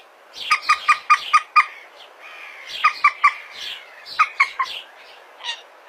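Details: Common moorhen, recorded on a mobile phone in Indonesia, giving rapid bursts of four to five harsh squawking notes, a pause, then further bursts, with faint background sounds.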